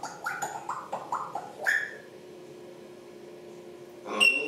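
A grey parrot gives a quick string of clicky, gargled syllables, then a sharp whistle, a pause, and another loud whistled squawk in a small room.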